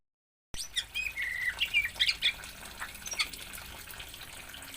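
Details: Oriental magpie-robin from Aceh, Indonesia, giving a quick run of varied whistled and squeaky notes for about two seconds, then a few scattered chirps, over a steady background hiss with faint splashing-like noise.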